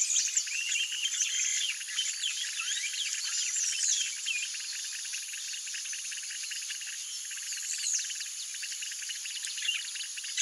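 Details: Yellow-rumped marshbirds feeding on Brachiaria seeds, giving many overlapping high chirps and sliding whistled notes, over a steady rapid pulsing buzz that runs throughout.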